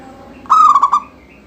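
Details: One close, clear song phrase of a local zebra dove, used to set other doves singing: a long steady note that breaks into three quick pulsing notes.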